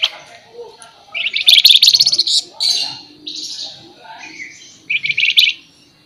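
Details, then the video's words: Sharp, shrill flamboyan song used as tutoring material in the 'nyerecet nembak' style: a long burst of fast pulsed buzzy high trills, a few softer warbled notes, then another short, rapid pulsed burst. "MASTERAN TERBARU FLAMBOYAN GACOR FULL NEMBAK NYERECET MBESET TAJAM"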